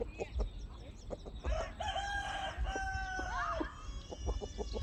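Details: Domestic chickens calling: a drawn-out harmonic crow-like call lasting about two seconds rises at its end, among scattered short clucks, with laughter and background noise.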